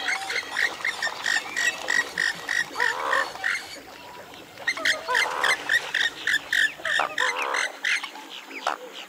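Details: Western swamphen calling in a rapid series of short, nasal, quacking notes with strong overtones, several birds overlapping in a dense, cackling chorus.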